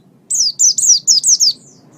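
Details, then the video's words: Oriental white-eye song used as a master recording for training birds: a quick run of six high, thin descending whistled notes lasting about a second, over a faint low hum. "raja masteran pleci"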